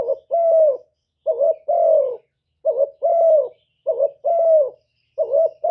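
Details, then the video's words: Spotted dove used as a decoy bird, giving its gù cooing song: a quick doubled note then a longer, mellow, slightly falling coo, the phrase repeated about every 1.3 seconds, five phrases in a quiet setting. "Chim Cu Gáy Mồi gáy gù cực chất, kích mồi kích bổi cực chuẩn"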